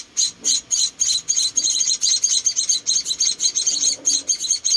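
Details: Four tiny munia chicks, rescued and being fed, chirping in quick high bursts that speed up and run together into a fast chatter.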